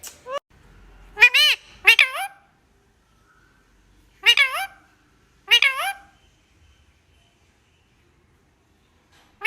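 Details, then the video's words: Pet parrot talking with its owner indoors, giving short harmonic, meow-like calls that rise and fall, in pairs and single notes spaced a few seconds apart, in a quiet small room. "Parrot sound ❤️talkative parrot"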